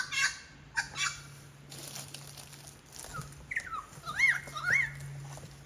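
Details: Lyrebird in the Royal National Park, Sydney, on Forest Path, mimics a medley of other birds (black cockatoo, whipbird, currawong, wattlebird, kookaburra and more): harsh bursts, then looping, swooping whistles, over a low hum.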